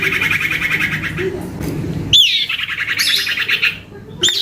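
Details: Young male common iora calling loudly and persistently: a long buzzy trill near the start, then a sharp high note sliding down into a rapid pulsed trill that gradually falls, followed by another sharp note.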